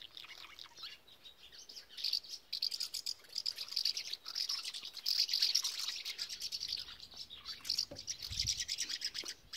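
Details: Common house martins building nests and breeding on a visitors centre at Dollard, Groningen, Netherlands, on 8 April 2017: a steady, dense chatter of high, dry twittering notes from several birds, with faint background hiss.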